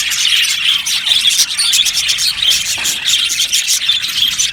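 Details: Many aviary budgerigars twittering together, rapid bright chirps and squeaky notes running continuously without a break.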